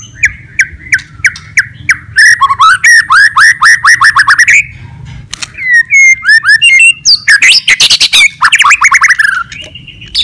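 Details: White-rumped shama fighting song meant to provoke rival birds: a run of repeated chirps, then quick rising whistled sweeps, harsh buzzy bursts and varied mimicking phrases, loud and clear throughout.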